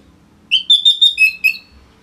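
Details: A short run of six clear, slightly buzzy whistled notes stepping up then dropping in pitch; Orange-headed thrush song from northern Bali intended to tutor other songbirds.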